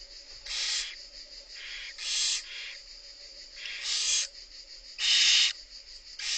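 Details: Several barn owl young beg from their mother during feeding, rasping hisses alternating loud and soft, coming almost every second with a constant hiss in the background.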